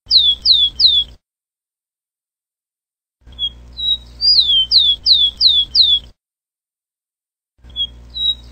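Rufous-collared sparrow singing high, clear whistles: a few level notes, then quick downslurred notes repeated in threes, over a faint low hum.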